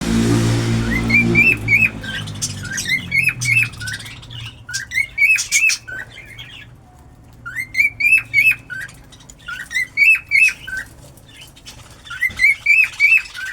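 A cockatiel sings in short bursts of rising, warbled whistles, repeated every second or so.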